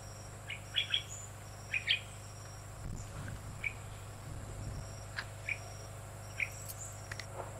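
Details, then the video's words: At Krung Ching Waterfall, Nakhon Si Thammarat Province, Thailand, a Red-eyed Bulbul gives short, bright chirps, paired at first, then single notes every second or so, over a steady low hum and faint insect whine. "Red-eyed Bulbul"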